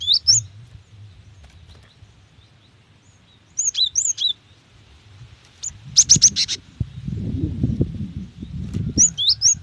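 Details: Female cinereous tit calling for a male: scattered high, twisting slurred whistles, then a tight cluster of rapid sharp chirps, with a low rumbling background noise rising near the end.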